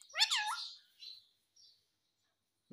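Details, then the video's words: A pet parrot says "mummy" in a short, clear, voice-like phrase with sweeping harmonic tones. A softer brief sound follows, then near silence in a small indoor space. "Parrot speaking mummy mummy"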